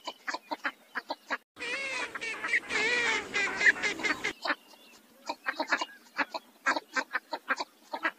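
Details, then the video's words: Northern shoveler giving short, clipped nasal calls, several a second, broken by a louder, denser stretch of overlapping duck calls midway. "صوت أبو مجرفه الشمالى (البربش)"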